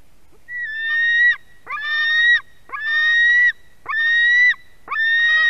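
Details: Young white-tailed eagle on a Durbe, Latvia nest, begging loudly while the female brings fish, 31 August 2020 around 4:50 pm; five rasping, ringing screams in steady succession, each roughly a second long with short gaps.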